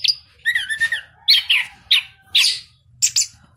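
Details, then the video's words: Ringed, cage-bred orange-headed thrush from southern Malang, Indonesia, singing steadily: a wavering whistled phrase followed by short bursts of bright, buzzy notes spaced about half a second apart, with a faint low hum beneath. "anis kembang gacor"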